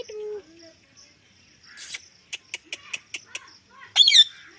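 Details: Pet parrot talking: a short steady mid-pitched tone, a pause, a rapid series of sharp clicks, then a harsh rising-and-falling chirpy burst near the end.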